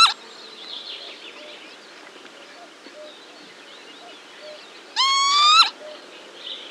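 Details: A northern lapwing pair gives alarm calls to their young: a brief sharp cry at the start, then a loud, wheezy, rising call near the end, with faint chatter from other birds underneath.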